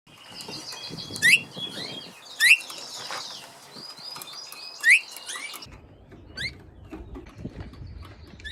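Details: A captive-bred northern (Siberian, trumpeting) bullfinch, a subspecies of Eurasian bullfinch, in a small show cage gives three short, clear, deep, trumpet-like piping whistles a second or more apart, with thin chirps from other small birds and faint rustling behind it.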